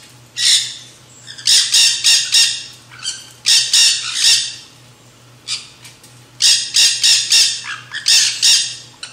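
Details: Backyard Nanday conure parakeets in a feeding frenzy at a seed feeder; piercing harsh squawks delivered in quick series of three to five, groups separated by brief pauses, with a faint low hum throughout.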